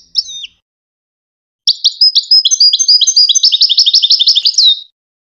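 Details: Goldfinch song used for teaching hybrid chicks to sing: a brief call note, then a long rapid twittering phrase of high trills and chirps that speeds into a fast repeated run and ends on a rising-falling note.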